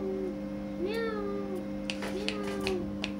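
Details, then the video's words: Indian ringneck parakeet mimicking a cat's meow: a drawn-out falling harmonic note followed by arching tones and a few sharp clicks, with constant background music. "Parrot Talking"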